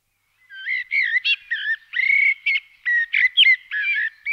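A common blackbird sings a run of mellow, fluty whistled notes broken by brief higher twittering flourishes, phrase after phrase with no other sounds.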